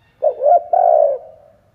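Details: Spotted dove, a decoy bird cooing to stir up and lure wild doves: one mellow, low hooting phrase of two quick notes, then a longer drawn-out coo that fades away, in a quiet setting.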